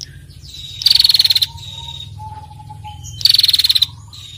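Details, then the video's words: Female bar-winged prinia calling with a ngetirrr trill to encourage other birds to sing: two rapid, high, buzzy-ticking trills about two and a half seconds apart, with soft thin whistles between them. "Prenjak Betina Gacor Ngetirrr"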